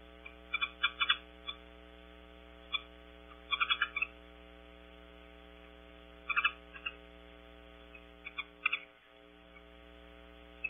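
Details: Birds queried as mountain bluebirds, back visiting at Audubon Starr Ranch, California, on a webcam, give short, soft clusters of chattering call notes every couple of seconds, over a steady electrical hum.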